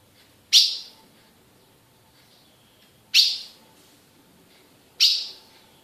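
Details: Female ultramarine grosbeak, a captive-bred bird from Brazil, giving loud, abrupt chip notes with brief fading tails, three calls at uneven intervals of two to three seconds against quiet background.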